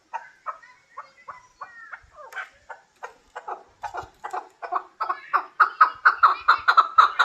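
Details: A hybrid chukar partridge calls, starting with soft, uneven clucking notes. These quicken and grow louder into a rapid, insistent chuck-chuck series of about four notes per second.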